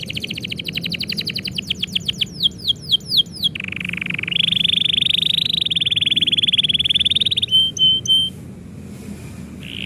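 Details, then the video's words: Canary in song as its owner prepares to go out: quick falling chirps accelerating into sweeping notes, then an extended high rattling trill and a few clear piping notes, low background hum throughout. "kenari bunyi ketika yang punya mau pergi"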